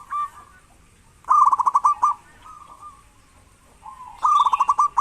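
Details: Local zebra dove calling actively, used to prompt lazy doves to sing: a short soft note, then a fast burst of staccato cooing notes near one pitch, a low single coo, and another rapid burst at the end.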